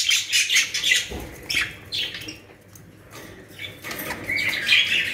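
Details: Budgerigars kept in Pakistan squawk and chirp in short scratchy bursts, with a soft wing-flutter, a quieter middle stretch, and renewed warbling chatter at the end.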